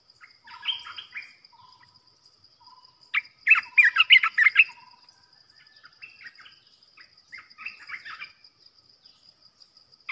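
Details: Olive-winged Bulbul kept in a cage as a decoy bird for trapping. It gives scattered liquid chirps, then a dense burst of rapid gurgling notes near the middle, then softer warbled phrases, over a constant high-pitched hum.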